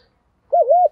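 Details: Decoy spotted dove used to lure wild doves, giving one brief wavy coo with a dip in the middle, loud and close in a silent setting.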